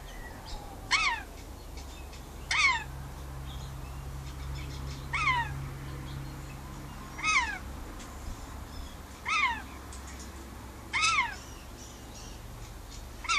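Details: Rainbow lorikeet, a household pet enjoying outside time on the verandah, repeatedly calls to outdoor birds: seven sharp, raspy, falling shrieks about every two seconds over a faint low hum.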